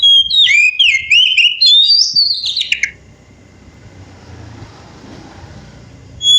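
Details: Wild oriental magpie-robin singing loudly for about three seconds: rich, rapid whistled phrases that slur up and down, with sharp rising and falling notes. Quiet background follows.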